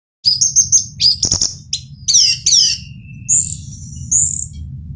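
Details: Male orange-headed thrush singing: a rapid run of high, varied phrases. Sharp downslurred whistles and sweeping notes are followed by thin, drawn-out high whistles near the end. A steady low hum runs underneath.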